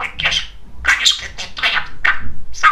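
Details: Very talkative pet male budgerigar kept indoors, chattering away: a string of harsh, scratchy, squawky bursts about every half second, in a chatty rhythm that resembles garbled speech.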